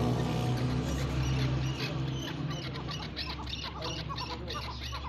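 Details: Chukar calling: a fast series of short, sharp chattering notes, about four per second, over a steady low hum.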